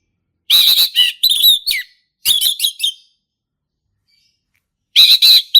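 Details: Male orange-headed thrush from the forest singing ngeplong: loud harsh, ringing bursts of tumbling notes in two phrases, then silence before another strong burst.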